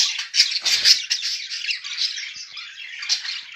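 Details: Two budgerigars, a mated pair, keep up a busy high twittering of short squeaky notes and grating chirps, with a brief low rattle early on and a sharper squawk toward the end.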